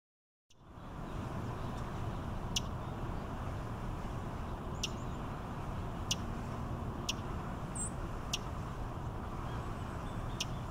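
A Fox Sparrow gives sharp, dry smack notes every second or two over steady traffic rumble.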